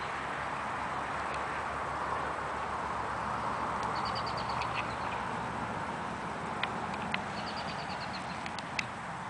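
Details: Wild ruby-throated hummingbird at a flowering wild currant bush, making high, thin clicking notes: scattered single ticks, then two quick rattling bursts of rapid chips midway and near the end, over a steady broad background hiss.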